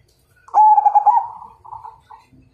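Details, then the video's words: ['Zebra dove of the Majapahit kind, whose perkutut song signals a challenge to fight, delivering one drawn-out bubbling coo that trails off into two softer tail notes.'] "Suara Perkutut MAJAPAHIT Ngajak Tarung"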